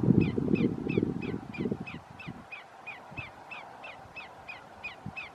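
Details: Greater yellowlegs calling at Roxbury Park, Meggett, South Carolina, on 1/5/2019: a steady run of about fourteen clear, sharp whistled notes, each slightly falling, with low rumbling wind or handling noise over the first two seconds.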